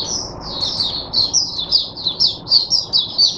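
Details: Caged oriental white-eye (mata puteh) singing on 22 January 2022 to teach other white-eyes. Quick high twittering phrases, rising and falling, pour out in a lively continuous sequence.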